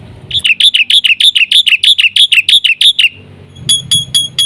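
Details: Black-winged myna singing energetically, meant as a lure and tutor for other mynas: a quick, steady series of rasping, chip-like notes, about a dozen in a row, then a pause and a few sharper, higher clicks over a low background hum.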